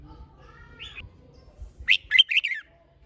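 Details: Red-whiskered bulbul song of the competition type, used to excite other birds to sing: faint thin whistles first, then one loud, quick, chattering warbled phrase of four or five slurred notes.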